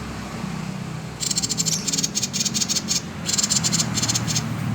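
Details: Common iora giving its 'konslet' call, used as a lure to get other birds singing: bursts of dry, buzzy, high rattling pulses after a quiet first second, in two runs separated by a short gap, over a low steady hum.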